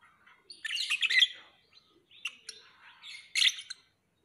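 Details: Lovebird chattering in bursts of harsh, scratchy chirps and squeaky twitters, one longer outburst followed by two shorter ones, against a quiet background.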